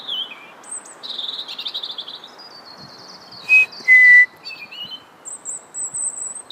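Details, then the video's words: Male European robin in melancholy song: scratchy, trilled and warbling high phrases, some fast-repeated, sliding between notes. A loud, clean whistle, a short high note then a longer lower one, cuts in midway. Faint hiss beneath. "English Robin - Erithacus rubecula - Rødhals - Glóbrystingur - Söngfugl"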